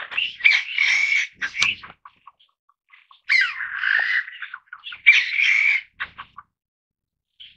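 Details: Family group of Taiwan bamboo partridges, endemic to Taiwan's forests at 300 to 2300 metres, giving three loud raspy, chattering bursts separated by short pauses.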